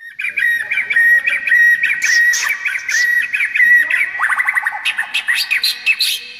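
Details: White-rumped shama (murai batu) in full 'gacor' song with a rich 'isian mewah' fill, used as a tutor recording for young birds: loud, varied whistled phrases around a steady tone, then a fast descending run of repeated notes and sharp high chips.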